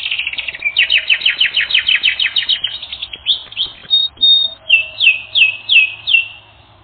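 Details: Canary singing for a training recording: a fast series of sweeping downslurred notes, then a short buzzy phrase, then slower, spaced downward whistles about every half second, fading out.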